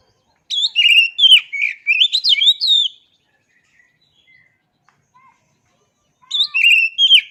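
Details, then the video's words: Two loud bursts of whistled, rapidly modulated song from an oriental magpie-robin (kacer), mixing sweet slurs and sharp chips, with a quiet gap of about three seconds between them. "Suara Asli Kacer Ini"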